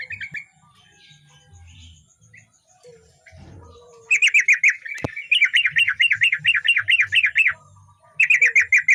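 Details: Yellow-vented bulbul, a male in full voice used as a tutor for other birds: quiet start with faint notes and low hum, then a rapid, bubbling warbled chatter of rolling repeated notes for several seconds, resuming after a brief gap.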